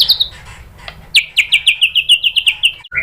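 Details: White-rumped shama lure song used to draw answers from other shamas, featuring a high, evenly repeated series of about a dozen descending whistled notes at a brisk pace.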